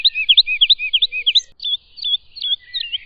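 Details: Woodlark song: a quick run of looping, slurred high notes repeated about three per second, then a slower stretch of separate fluting phrases; clean recording with no other birds.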